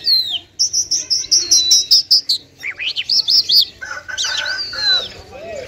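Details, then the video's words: Song of a lark, known as lunda jal or Afghani jal, Mashadi type, from Parachinar: a rapid series of short high piping notes, then swooping slurred whistles and varied twittering phrases dropping lower toward the close. "Top Lunda Larks Mashadi sk lunda jal full Sining JalBirds/jal talking full Sining Afghani jal"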